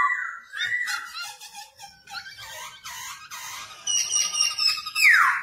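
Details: Black-throated laughingthrush singing and dancing, a tutor for young birds: a fairly quiet mix of whistled notes and harsh rasping, ending with a high thin held tone and a steep falling whistle.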